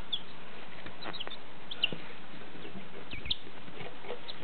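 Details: One-day-old chicks recorded in 2014: scattered short, high, thin peeps, some brighter than others, rise at irregular moments above a constant low rumbling background noise.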